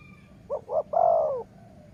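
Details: Dove heard at a Thai dove-calling session: two brief rounded coos then one long smooth coo that sags slightly at its end, set against faint low rumble.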